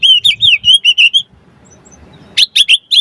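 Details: Brief phrase of white-rumped shama song, used as a lure to set other shamas singing: a smooth run of wavering whistles, a short pause, then several sharp high notes.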